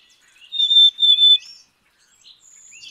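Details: A Black-capped Chickadee whistles its clear two-note song, a high pure note followed by a slightly lower one, with faint high chirps afterward.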